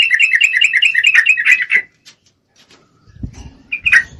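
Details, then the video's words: In breeding condition, a female Sooty-headed Bulbul calls for a male with a quick bubbling chattered trill, followed by a quiet spell with low rumbling noise and a couple of final sharp notes. "Trucuk Betina Memangil jantan, full Birahi"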